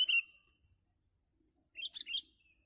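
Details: Sooty-headed bulbul at a bird-trapping session: a sharp chirp opens, then after a pause a tumbling phrase of several quick, bright, warbled notes, over an otherwise quiet background.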